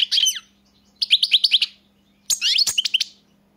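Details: European goldfinch song in three short phrases of fast, chattering, tinkling notes, the middle and last phrases with rapid repeated chirps, separated by brief silences; a faint hum underneath.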